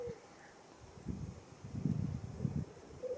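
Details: Black grouse at the lek at World's End, Wales, in April 2017; low, bubbling cooing in pulsed bursts swells from about one second onward, with a brief higher tone at the start and end.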